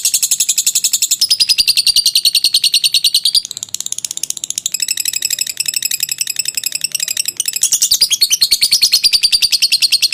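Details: Lovebird singing the long 'ngekek' trill used for training: ten seconds of fast, high, rattling chatter, quieter and thinner in the middle section before swelling loudly again toward the end.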